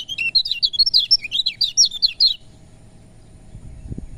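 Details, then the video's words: Lemon-bellied white-eye song, played to stir reluctant birds into singing: about two and a half seconds of rapid, high, bubbling twitters, followed by quiet and a soft low knock. "Suara Kecial Kuning || Buat Dongkrak Tensi Kecial Kuning Malas Bunyi"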